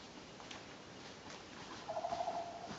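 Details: Wild turkey at Burr Trail slot canyon, Utah, in 2011, gives a brief, rapid rattling run of mid-pitched notes lasting about half a second, over a steady background hiss.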